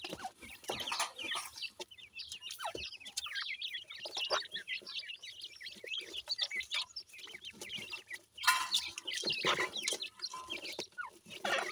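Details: Chicks of grey francolin feeding, a constant twittering of thin high peeps from many birds, with a sudden louder burst of noisy sound midway and fainter clucks underneath.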